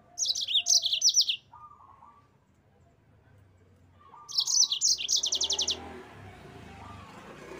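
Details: Yellow-fronted canary recorded as a master for training cage birds, singing in rolling gacor ngerol style. Two high bursts of quick chirps and buzzy trills, the second ending in a rapid even rattle, then soft background noise.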